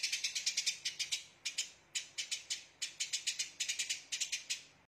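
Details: Rapid tembakan-style chatter of a Eurasian tree sparrow, a training recording for songbirds: clipped, scratchy chirps fired in quick clusters of two to five notes, about four to six clusters in a few seconds, with no other clear sounds.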